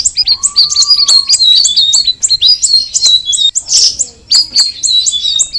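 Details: Straw-headed bulbul, known locally as cucak rawis, pouring out fast, bright chirping notes in quick succession, with a thin steady whistle sounding faintly underneath early on.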